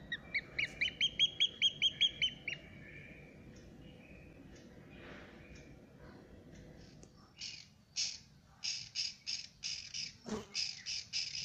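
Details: Newly hatched Eurasian oystercatcher chick at Prague Zoo, Czech Republic: a quick run of thin, high, clear peeps, about eight in two seconds, then a quiet pause, then a series of harsher, noisy rasping bursts repeated roughly twice a second.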